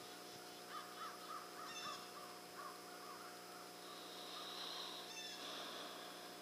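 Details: Turkeys fighting in a Sunday brawl, giving quick bursts of short, rough, mid-pitched calls in the first half, then a broad rushing noise with a faint high whine towards the end.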